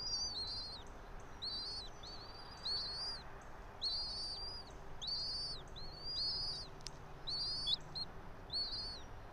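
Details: Bald eagle from a local breeding pair at a pine-top nest roughly 90 feet high, Johnson City, Tennessee, 06:28 on 3 April 2024; shrill, piping chirps repeat about once a second in a chattering series over low rumble.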